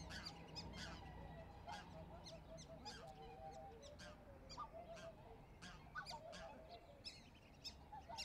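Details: Black-necked swan (Cygnus melancoryphus) giving short, soft honking notes, some repeated in quick pairs, over a steady low rumble and frequent sharp clicking and splashing sounds.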